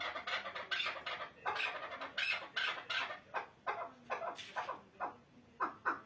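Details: Chukar partridge calling in clucking, chuck-like bursts, grouped and accelerating, some louder notes standing out, ending in a faster run.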